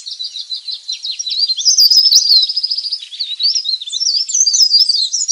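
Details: Leaf warbler calls played as a lure to attract wild birds: a stream of high, thin chirps and twitters with a brief sustained trill in the middle, rapid and unbroken.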